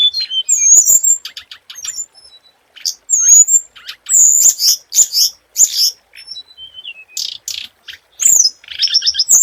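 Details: Scarlet minivet lure song with busy, varied phrasing. High whistles and short sweeping notes mix with rapid chattering clicks and buzzy bursts. Near the end comes a quick run of repeated high notes.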